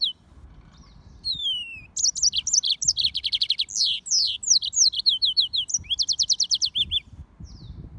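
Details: Hybrid of Mozambique serin and canary singing: a falling whistle opens, then quick series of high, repeated chirps and trills, varied phrases run together for several seconds.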